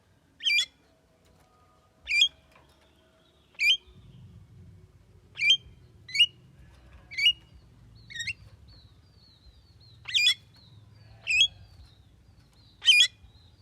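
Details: Javan myna, said to be able to talk, repeats short, sharp, upward-flicking notes roughly every one to two seconds, around nine in all, while a low rumbling hum runs underneath from the midpoint on.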